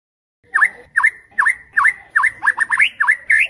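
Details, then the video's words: White-rumped shama song used as a night tutor recording for contest birds: a series of sharp V-shaped downslurred-then-rising whistled notes, repeated roughly every half second, with a slightly varied cluster near the end. "Murai Batu, Pancingan Malam untuk Menjadi Fighter Sejati"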